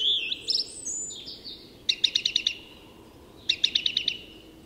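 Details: Dawn song of a song thrush in Tyresta National Park, Sweden: a whistled opening, then two bursts of five or six rapid, evenly spaced repeated notes, the typical repetition, against a low steady rumble.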